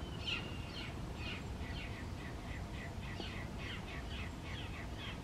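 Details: Southern Crested Caracara, a rescued bird, calling while eating breakfast: a rapid, steady run of rasping, scratchy notes about three per second, over low background rumble.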